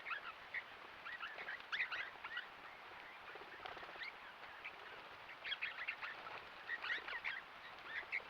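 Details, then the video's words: A flock of critically endangered swift parrots, possibly over 20 birds including some immatures, in late April to early May 2025, gives a busy chatter of high, piping chirps and metallic notes in quick irregular bursts. "Swift Parrots"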